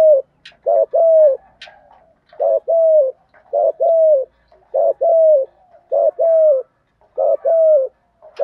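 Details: Spotted dove used as a decoy for wild doves, giving 'gù thúc' coos: short, mellow notes, often in pairs, repeated steadily throughout with brief gaps and a few soft clicks.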